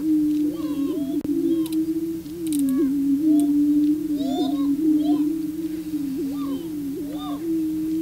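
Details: Booming grounds where male prairie chickens court a female; an unbroken low drone carries many quick squeaky whoops and cackles, plus one sharp click early on.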